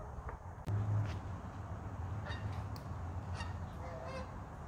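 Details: Geese moving north and south over northern Idaho in early winter with no snow yet; a few honks drift in during the second half over a strong low rumble of wind.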